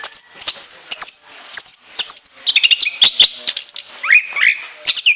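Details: Caged orange-headed thrush performing a long song with many borrowed phrases and shrill notes: high thin whistles and chirps, then a rapid burst of varied notes and swooping whistles.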